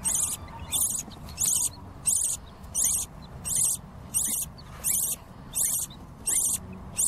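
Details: Hungry baby lovebird chicks begging: harsh, raspy, high-pitched bursts repeated steadily about every half second, each short and buzzy, with faint low background hum.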